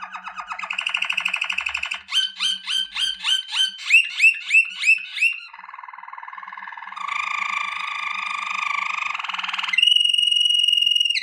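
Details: Waterslager canary training song: a rapid buzzy trill, a run of repeated falling whistled chips, a deep bubbling water-like roll, then a high steady ringing whistle.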